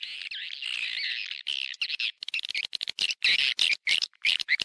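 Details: Swiftlet sound of the calling and roosting type, in stereo: a buzzy drawn-out chatter, then choppy bursts of rasping twitters with short whistled upslurs.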